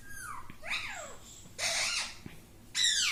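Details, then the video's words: Parrot kept as a talking bird that says "mittu": curving squeaky notes that swoop up then down, followed by a long hoarse screech and a final arched, downward-sliding squeal. "मीटु मीटु बोलने वाला तोता - mittu mittu me mittu taking parrot"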